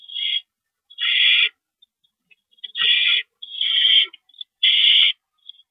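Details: On 28 March 2012 at 9:01 PM, during a rodent delivery, an owl utters a rapid run of raspy, hissing screeches, about five in under six seconds, with faint clicks between.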